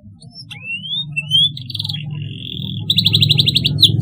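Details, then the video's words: Canary song offered for young canaries learning to sing: rising whistled slides, then buzzy notes and fast rolling trills, over a steady low hum. "paud kenari belajar bunyi cocok sekali di pancing suara ini"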